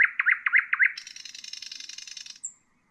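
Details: Common nightingale song, played for training bulbuls and other songbirds: four quick looping mid-pitched notes, then a long high buzzy rattle and a short thin whistle at the end.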